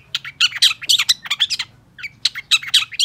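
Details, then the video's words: Long-tailed shrike in vigorous song, meant as a master for shrikes that will not sing: rapid, harsh high chatter with scratchy clustered notes, a brief pause, then more quick chattering. "CENDET LAIN PASTI IKUT GACOR❗️Pancingan Cendet Gacor Cocok Buat Masteran Cendet Macet Agar BUNYI"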